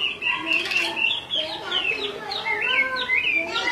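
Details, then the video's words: Chinese hwamei, the female calling again and again while the male grows restless; quick looping whistles and slurred upward and downward notes in a continuous babbling stream, with a brief wing flutter early on. "Họa mi mái xùy liên tục, họa mi trống không yên"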